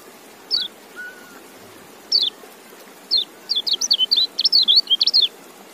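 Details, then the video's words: Single high chirps from a white-eye at first, then a quickening string of bright, wavering twitters toward the end. A faint low whistle is heard early on. "Relaksasi Suara Kecial"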